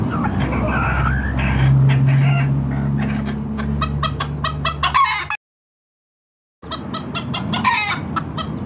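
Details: Rooster family of chickens making noise together: rapid, irregular clucks and harsh calls over a steady low hum, cut by a second of silence midway before the clucking resumes.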